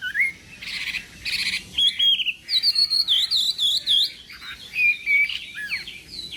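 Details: A Chinese hwamei in morning contest song begins with harsh buzzy bursts, then pours out a string of clear high whistled notes and warbles in rapid succession.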